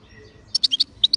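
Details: Short fragment from a kept European goldfinch: six quick high chirped notes in two bunches, each a bright sharp tweet, over faint low background noise.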